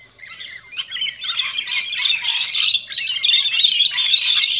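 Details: Continuous loud chattering of rainbow lorikeets feeding at a backyard station in Australia, shrill overlapping squawks and screeches forming an almost unbroken harsh stream.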